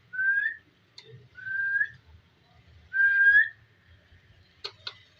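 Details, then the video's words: Pet ringneck parrot described as talking: three clear rising whistles, each about half a second long, spaced roughly every one and a half seconds, followed by a couple of faint clicks. A low background hum runs throughout. "Talking parrot so cute"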